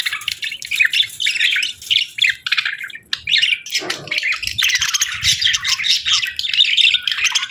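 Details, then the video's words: Budgerigars chirping in busy, grating warbled phrases, briefly broken by a lower squawk midway, then continuing in thick overlapping chatter. "Budgies Chirping Sounds"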